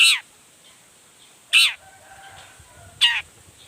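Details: Long-tailed shrike sound meant to provoke other shrikes to sing: three loud, harsh, downward-sweeping rasps spaced about one and a half seconds apart, with a faint steady high hiss behind.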